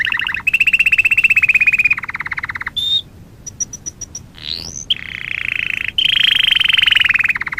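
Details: Singing canary in a training recording, with fast pulsed rolling trills at mid pitch, a brief pause of thin high pips and a rising slide, then more long buzzy rolls.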